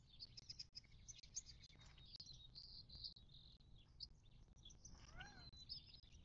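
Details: Desert birds at a southern California watering hole in the western Mojave, March 19, 2024: high thin twittering runs throughout, joined near the end by a short, lower, wavering call, over faint background noise.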